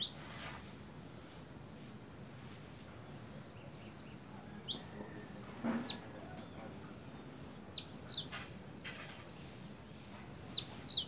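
A blue-black grassquit gives short, high, buzzy downslurred notes in quick pairs, repeated every couple of seconds against faint background hiss.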